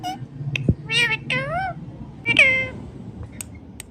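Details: Talking green ringneck parrot repeating "Mithu Mithu": a quick series of harmonic, bending syllables, then a loud falling call, with a thud early on and faint clicks after, in a small room.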